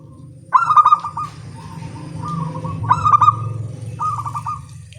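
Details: Local zebra doves cooing back and forth in the morning: three stuttered, bubbly coo bursts about every one and a half seconds, joined by softer trills, over a persistent low hum.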